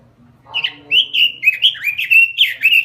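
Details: Lively robin song from Indonesian bird keeping: after a short quiet start, a string of bright, bubbling whistled notes follows in quick succession, each note rising and falling, continuing steadily to the end.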